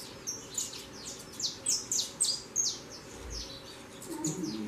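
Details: Young saffron finches fledging from the nest and flying: sharp high chirps, about three per second, loudest mid-clip, then fading, over a low rumble and faint background noise.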